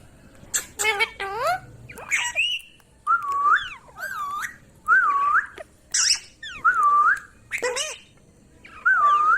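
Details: A talking ringneck parrot produces short, repeated wavering whistles about every second, interspersed with rapid rising chirps and clicks, in a quiet indoor setting.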